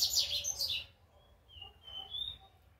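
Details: Juvenile double-collared seedeater in brown plumage practising first notes: a loud scratchy high twitter burst, then after a pause a few thin rising whistles, above a low steady hum.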